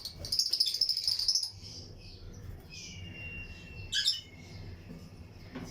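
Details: Lutino lovebirds in a breeding colony aviary with other birds nearby: a rapid rattling series of tiny high chirps for over a second, then a thin drawn-out whistle and a loud clipped chirp.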